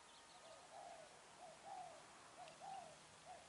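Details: Spotted dove used as a decoy when trapping doves, recorded on 10 December 2020: soft, low cooing notes repeated about once a second, heard faintly through steady background hiss.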